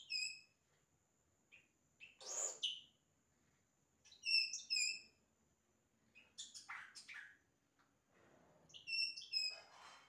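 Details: Yellow-rumped cacique singing imitations of other sounds: clear whistled notes mixed with harsh, rasping bursts and quick chirps, given in uneven phrases with short silent gaps between them.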